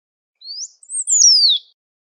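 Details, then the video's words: Great pampa finch calling and singing in nature: one high, clear whistled phrase, a short rising note, a brief level note, then a long bright slur sweeping downward, with no other sounds. "SABIÁ BANHADO CHAMANDO E CANTANDO MUITO NA NATUREZA"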